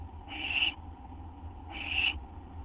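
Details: At an owl nest near midnight on 6 September 2011, during delivery of a treat; two loud, harsh, hissing screeches about one and a half seconds apart over a low hum.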